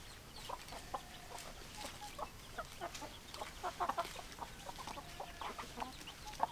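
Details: Many chickens clucking together, a dense stream of short clucks and chirps with occasional sharper notes, no single bird dominant.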